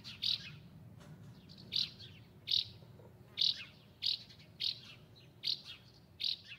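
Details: Repeated brief dry chirps from a house martin (Delichon urbicum), roughly eight sharp notes at intervals under a second, each a quick high burst, over a low murmuring background hum.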